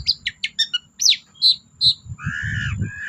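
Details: Long-tailed shrike singing as a lure for silent birds: quick scratchy notes and a few clear whistles, ending in a lower, drawn-out nasal note over faint background rumble.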